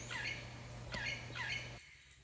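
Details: Parrots heard constantly around lodging in a village in Costa Rica, in March: three harsh, squawking calls about half a second apart, each a loud downward-bending screech, over a steady electrical hum.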